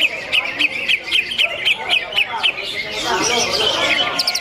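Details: Greater green leafbird in a full competition simulation, dense song: a series of short, rising whistled chirps about four per second, then a thick tangle of overlapping warbles with a brief rapid trill at the end.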